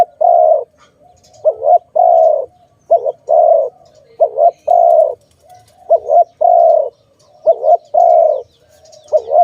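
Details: Dove calling in a setting tied to bird trapping: repeated phrases of a short wavering double note followed by a long, steady, mellow coo, about every one and a half seconds, with quiet background.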